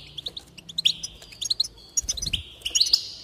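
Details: Goldfinch song for encouraging singing: a string of quick rising chirps followed by buzzy, tinkling trills and bright twittered phrases, continuous to the end.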